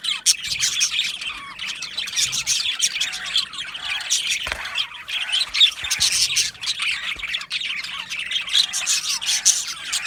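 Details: Budgerigar colony chattering in an aviary, happy chirping sounds: a constant mass of rapid warbling tweets and harsh squawks from many birds at once.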